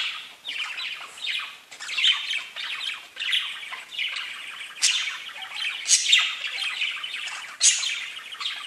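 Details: Steady warbling chatter of pet budgies, rasping and high, with sharp louder squawks punctuating it every couple of seconds.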